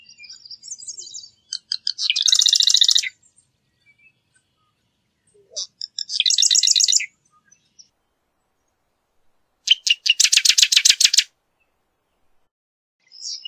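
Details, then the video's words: Marsh wren singing three rapid, mechanical rattling trills spaced a few seconds apart, each opened by brief scratchy notes, with quiet gaps between the phrases. "Marsh Wren Song! Marsh Wren Call! Marsh Wren! - Cucarachero Pantanero Canto"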